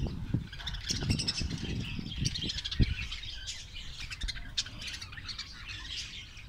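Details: Australian parrots in a Karachi colony give a busy stream of high chirps, squeaks and harsh short squawks, with low rustling and knocking underneath.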